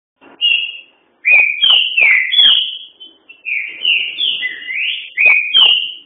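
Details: A green-winged saltator (Saltator similis) sings loud, clear whistled phrases, sliding up and down between high notes with short pauses between phrases.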